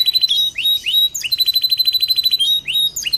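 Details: Canary song meant to stimulate other canaries to sing and copy it: short upward-sweeping whistles alternating with fast, steady rattling trills, with a thin, sustained high tone running through much of the phrase.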